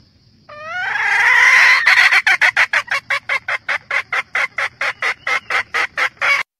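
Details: Red junglefowl hen calling the rooster: a long, whining, rising note that gives way to a steady string of about twenty sharp, rhythmic cackles.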